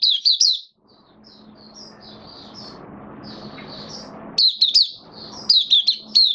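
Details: Captive white-eye giving "buka" open song on 18 May 2022 following deworm treatment and supplements: quick high twittering bursts, a quieter stretch of soft chirps in the middle, then loud clustered notes return.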